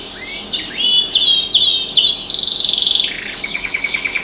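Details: Caged pet canary singing with outdoor birds beyond the window: a rising whistle, several clear repeated whistled notes, a dense buzzy trill, then softer, lower, clipped chips.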